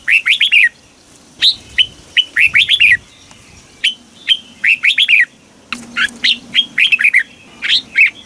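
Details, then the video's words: Thai red-whiskered bulbul singing a southern master-style song used to stimulate caged birds and tutor chicks; clear, quick whistled notes grouped in short tumbling phrases separated by gaps of about a second, with a soft low drone in the background. "เสียงนกกรงหัวจุก สำหรับต่อ หรือ เปิดให้นกคึก"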